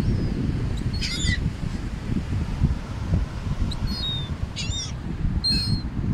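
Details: Wild gulls flying above a beach in Atlantic City, New Jersey, as they are fed; three separate bursts of harsh, wavering cries a second or more apart, over steady roaring wind and surf.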